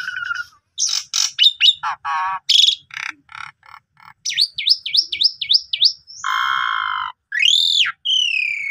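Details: Asian pied starling training song, rich and varied, aimed at a sulking starling: a jumble of clicks and buzzy notes, a fast series of rising chirps, a long harsh nasal note and a high arched whistle.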